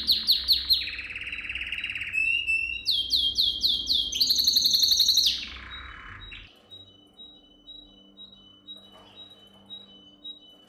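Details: Canary song meant for young canaries to learn: rapid swoops, a buzzy roll and ringing trills in changing tours, then a soft, evenly spaced dotted trill over a low hum.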